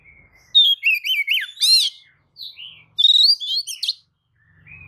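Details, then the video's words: Oriental magpie-robin with spread tail, lure song to make rival magpie-robins respond; two loud bursts of sweet whistles and chattering slurred notes separated by a short silence. "kacer manapun jelas nyaut oleh kicau pancingan kacer buka ekor! kacer dijamin emosi"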